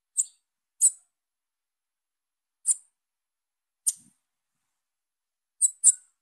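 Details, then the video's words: Calls of a young female bananaquit: six piercing, high-pitched short chips, two quick ones at the start and a close double at the end, separated by irregular pauses, with no other sounds. "FÊMEA DE SIBITE NOVINHA CHAMANDO"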